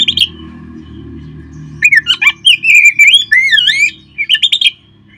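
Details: Oriental magpie-robin song used to stir kept birds into singing: a short note, a pause, then a rapid run of clear whistles with swooping rising and falling slurs and quick chirps, ending in a burst of high notes.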